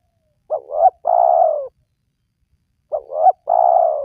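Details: Spotted dove coos, played to prompt reluctant wild doves to call: two phrases, each a pair of quick, wavering notes followed by a sustained, slightly falling coo, with silence between.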